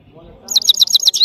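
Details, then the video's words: Goldfinch from Parachinar in a brief burst of quick, high, tinkling twitters, the notes tumbling rapidly one after another over a quiet background. "gold finch singing saira birds of parachinar powerful singing"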